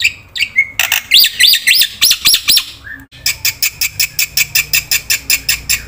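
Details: Harsh, squawking black-winged myna song played as a lure for silent birds: arched scratchy notes, then a steady series of rasping chatters about three per second.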